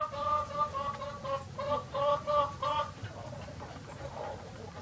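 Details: Free-ranging chickens of many breeds on a farm on a sunny day; a hen gives a run of low, harmonic clucks in quick bursts, about three per second, then quieter scattered clucks with faint farmyard background.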